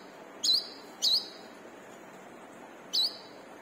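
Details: Brown-throated sunbird, called wiceh or manggar, in energetic song used as a training lure. Three thin, high, slurred chirps: two close together, then a gap of nearly two seconds before the third, against a soft hiss.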